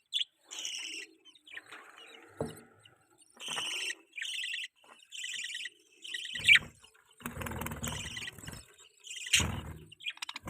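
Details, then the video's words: Pet budgerigar mating call: buzzy, harmonic-rich warbled notes, each lasting about half a second and repeated with short gaps, with scattered chirps and a few bursts of rustling or handling noise. "budgie chirping sounds|budgie mating sounds|budgies chirping sound"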